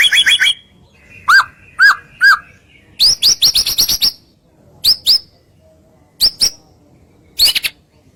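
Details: White-rumped shama masteran song for provoking other birds: short bursts of high chirps and downward-sliding whistles separated by brief pauses, with quick stuttering clusters of notes.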